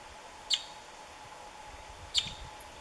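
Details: Oriole blackbird in the Orinoquía foothills at Cubarral, Meta, Colombia, recorded during biodiversity monitoring on sustainable cattle ranches: two sharp, high, clipped call notes about a second and a half apart, over a faint steady hum.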